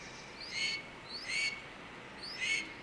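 A blue jay mimics a red-tailed hawk: three harsh, hoarse screams, each led by a thin rising slur, spaced about a second apart.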